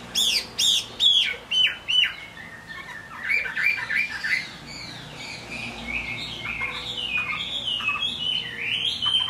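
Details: Chinese hwamei singing in the rain, opening with loud high swooping whistles repeated several times, followed by a softer rambling sequence of varied slurred and warbled notes.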